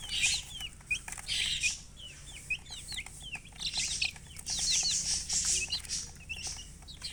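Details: Several baby chicks chirping: quick, high, falling peeps overlap throughout, interrupted by loud hissing, rustling bursts near the start and in the second half.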